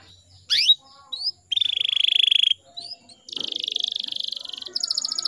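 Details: Canary lure recording meant to make young male canaries start singing. An upward-sweeping note and a short chirp lead to a dense buzzy trill, a pause, then a second long rolled trill and high fast ticking.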